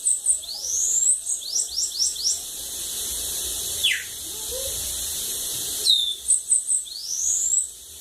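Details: Bananaquit in Lagoa d'Água, Brazil, singing short rapid series of four or five high, thin upward-swept notes, with a falling slur between phrases.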